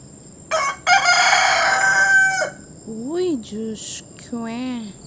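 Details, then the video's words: Rooster on top of a roof gives one strong, hoarse crow of about two seconds, then a person's voice speaks softly to it in short phrases. "Singing Rooster"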